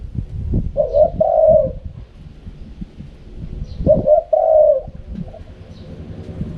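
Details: Spotted dove singing "karom pa", the wild cooing style. Two phrases about three seconds apart, each a clipped double note followed by a long mellow croo, over noticeable low-pitched background rumble.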